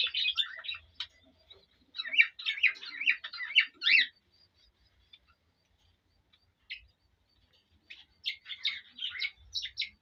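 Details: A male cockatiel singing to a female to spur mating delivers two bursts of rapid chattering whistles separated by a long quiet stretch broken only by single faint clicks.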